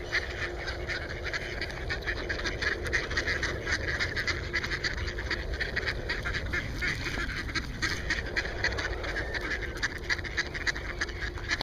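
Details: Hungry mallards at a pond give a dense, continuous chorus of overlapping quacks and chatter, several calls a second, over a steady wash of background noise.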